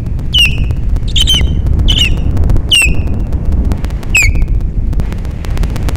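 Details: Morning mating of Ospreys at Captiva, Florida, 13 December 2021: five loud, sharp whistled chirps, each dropping in pitch with a short tail, spaced roughly a second apart, against strong gusty wind noise.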